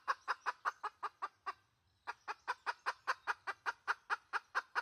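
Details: Red junglefowl hen call from 2020: a fast series of harsh, evenly spaced clucks, about seven in a second and a half, a short pause, then roughly fourteen more at the same steady pace, with no other sounds.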